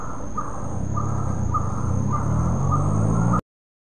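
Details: Coppersmith barbet at Bukit Batok nature park on the morning of 30 July 2022 repeating low, muffled notes about every half second amid rumbling vehicle noise, the recording cutting to silence near the end.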